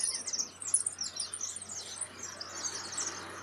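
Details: European goldfinches starting to sing as their season approaches: a rapid, tinkling, high-pitched twitter running unbroken, with several voices overlapping over a faint low hum.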